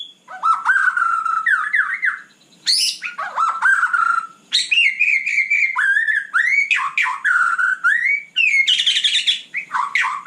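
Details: White-rumped shama in night song, continuous rich phrases of slurred whistles, rising and falling notes and chattering bits, loud and near.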